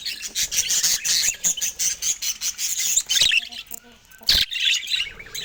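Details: Budgies showing affection to each other, a dense stream of high warbling chatter and rapid chirps, briefly pausing before a sharp loud note and more chattering.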